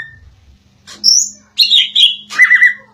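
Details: A greater green leafbird sings insistently in loud, varied bursts of high slurred whistles and chattering chirps, several phrases in quick succession, over a faint steady low hum.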